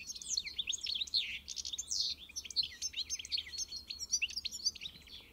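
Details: European goldfinch pouring out a continuous, rapid, high twittering song of tinkling notes and short trills for over five seconds, with a soft low hum behind.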